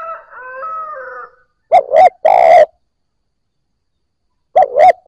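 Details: A wavering whistled call opens, then a spotted dove coos to stimulate newly caught doves. Two quick low notes are followed by a drawn-out rolling coo, and the phrase starts again.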